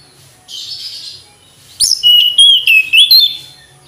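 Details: Mountain flycatcher song: a soft buzzy note, a pause, then a lively run of clear whistled notes that rise and fall in sharp, separate pulses.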